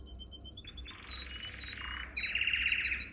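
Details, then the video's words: Canary song used for training young canaries: a high dotted tour gives way to dense buzzy rolls and a bright, harsh trill that grows louder toward the end. "Most powerful song for training Canary"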